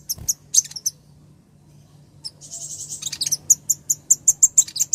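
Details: A female ruby-cheeked sunbird calls to a male: scattered high chips, a buzzy trill, then regular sharp ticks about five per second.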